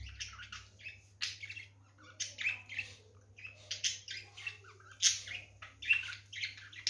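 A budgerigar chirps in quick, scratchy bursts, with a low steady hum underneath.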